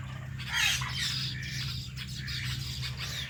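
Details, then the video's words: Two pet ringneck parrots, an Indian ringneck and a blue ringneck, at home: one loud rising squawk followed by rough chattering notes, over a constant low droning hum. "Our Blue Ringneck Parrot | Natural Parrot Chirping Sounds and Voices"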